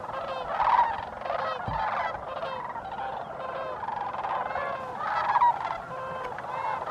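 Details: Many sandhill cranes call together at Bosque del Apache National Wildlife Refuge, New Mexico, December 2015: a dense chorus of purring, rolling bugles, individual rattles rising and falling throughout seven seconds.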